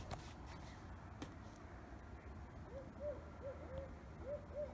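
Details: A barred owl hoots at about 3 a.m. in a town suburb, heard through open windows: a quick run of about six short, mellow, arched hoots late in the clip, over a low night-time rumble.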